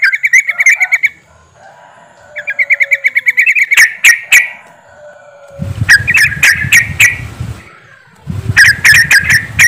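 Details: Lure recording of yellow-vented bulbuls meant to make birds sing. Bursts of fast, stuttering chirps are separated by quieter gaps, with a low rumbling background during the later bursts.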